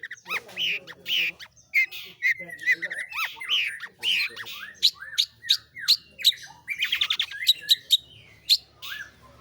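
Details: Long-tailed shrike (pentet/cendet) in rolling song: harsh squawking notes and descending slurs give way to rapid stuttering chirps and a quick trill, delivered continuously with a soft hum underneath.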